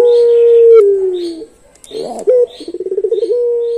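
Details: Long-voice puter pelung dove song: a sustained steady coo that sags slightly in pitch, a short pause, then a quick rattling run of pulses that speeds up and settles into another held tone.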